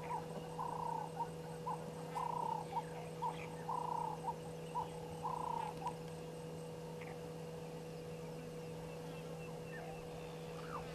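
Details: Burchell's starlings, two fighting, at Gowrie dam waterhole on Djuma Game Reserve, Sabi Sand, South Africa, 20 October 2022 at 16:39, giving short, slurred, mid-pitched squawks in quick bursts for about six seconds over a steady electrical hum.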